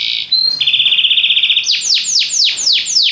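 A Belgian canary sings a loud, high song: a fast buzzy trill on one pitch, then a run of about six sweeping, descending whistled notes.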